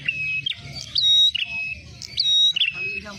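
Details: Ashy tailorbird calls played as a lure for trapping. Clear whistled notes and quick chirps repeat about every second. A steady low hum sits in the background.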